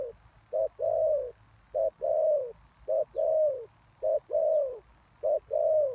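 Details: Lure spotted dove calling to draw in wild doves: steady paired coos, each a brief low hoot then a drawn-out descending croon, repeated about every 1.2 seconds; a few faint high bird notes behind.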